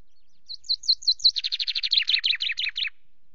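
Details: Common chaffinch on a nest-camera perch at Loch Garten, late afternoon of 24 May, pausing from preening to sing: a short run of sweet rising notes gives way to a rapid, descending rattle and a closing twist, with a quiet background.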